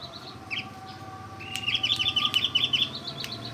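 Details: Oriental white-eye imitating a bulbul: a couple of short chirps, then a quick rhythmic run of about ten sharp high notes.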